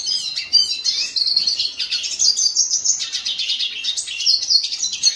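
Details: Hooded siskin, or cabecita negra, singing a continuous, high, rambling twitter of fast chirps, trills and buzzy notes without pause.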